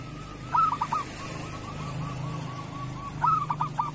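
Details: Zebra dove of local stock singing kerot style as a tutor for silent or moulting doves: a loud stuttered coo, a long even rolling trill, then another bright stuttered coo; low rumble underneath.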